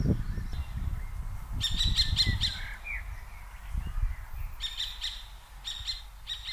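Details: Two common kestrel pairs scolding one another, 15 June 2023; a rapid ringing kee-kee-kee volley, then a longer broken series later, against songbird twitters and gusts of wind.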